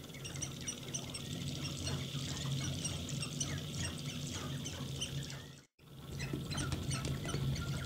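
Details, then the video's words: Several sharp-tailed grouse dancing and fighting in their mating display give rapid overlapping squawks, clucks and cackles, several bursts a second, over a low steady rumble, with a brief silence near the end. "Dancing And Fighting Sharp-tailed Grouse"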